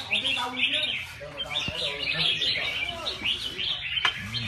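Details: Red-whiskered bulbuls at a live singing competition: dense overlapping high chirps and short warbled phrases run almost continuously, with a man's commentary murmuring underneath and a sharp click near the end.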